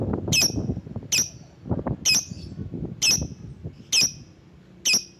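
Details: Lovebird calling to draw rivals: loud, harsh, shrill squawks repeated roughly once a second, over a busy low background noise.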